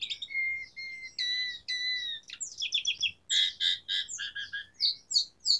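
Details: Asian pied starling delivering varied song: long flat whistled notes at first, then a burst of harsh, rapidly stuttered chatter and squeaky, scratchy phrases mixing high and lower notes.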